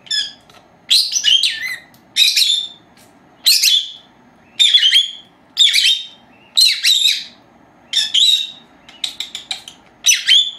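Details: Two 4-month-old female lovebirds, pets recorded at naptime, give shrill, buzzy chirps in short bursts about every second, high-pitched and harsh, with a faint low hum behind. They also mimic household words and whistle.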